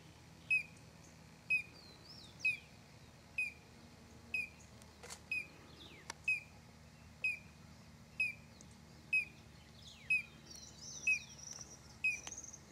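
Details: Collared crescentchest recorded in December at São Desidério, Bahia, north-east Brazil: a short sharp note dropping at the end, repeated about once a second with steady rhythm, with faint high chirps of other birds behind.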